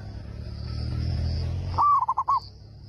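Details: Zebra dove, a local bird with a big voice singing to make other doves answer, delivers one short phrase of a rising note and four quick cooing notes after a low droning rumble.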